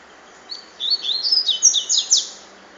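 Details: Double-collared seedeater singing the Cachoeira song type, a quick, lively phrase of high, sweeping chirped notes that build in loudness and end with a few sharp slurred accents.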